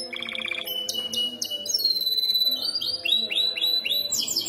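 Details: Canary singing at night, a song used as a master recording for training other canaries: fast dry trills, then clear whistled notes and repeated rising upslurred phrases high in pitch, with a steady low musical hum underneath.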